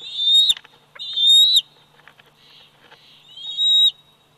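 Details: Nest cam at Big Bear Valley, 27 July 2019: a bald eagle eaglet, 104 days old, utters three piercing, slightly rising whistles, with soft rustling and scratchy noises filling the gap before the final call.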